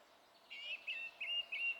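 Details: Song thrush phrase recorded 27 April, four short whistled notes repeated in quick succession, each slightly rising, over quiet background.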